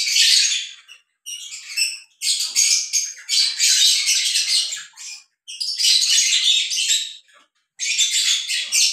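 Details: A breeding pair of lovebirds mating indoors; long bouts of dense, harsh, chattering squawks, broken by short pauses, continue nearly without stop.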